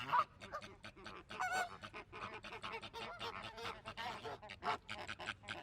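A dense flock of flamingos honks and gabbles, with overlapping goose-like nasal calls coming roughly every second or two.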